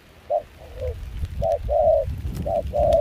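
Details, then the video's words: Spotted dove singing in a mixed foreign-style voice during chilly rain and wind in Kon Tum, a wild-caught bird used for decoying. A few soft coos, then clearer short-then-long coo pairs, with rumbling wind. "Gác cu khi trời mưa gió se lạnh.bổi giọng pha nước ngoài chơi tốt"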